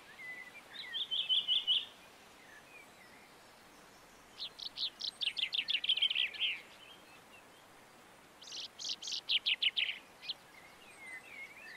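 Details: Common chaffinch recorded in March 2022 in the Montes de León, Spain: three bright trilled phrases of quick repeated notes, each about two seconds long, spaced by short pauses, with faint chirps from other birds between them.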